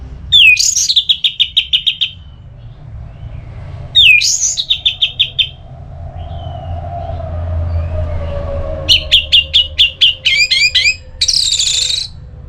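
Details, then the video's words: Orange-headed thrush singing in the ngeplong style, used to stimulate another bird to sing: repeated clear whistled phrases, each a sharp rising note then a rapid fluttering trill, with a low hum and rumble beneath. "ANIS MERAH LOYO Bakal SONTAK NYAUT GACOR dan EMOSI dengar Kicauan Ngeplong ini"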